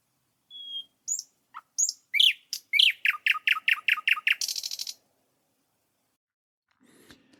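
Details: A thrush nightingale in Latvia sings a loud verse: a sharp whistle and clicks, then a fast series of about ten hard, knocking notes ending in a rattling buzz.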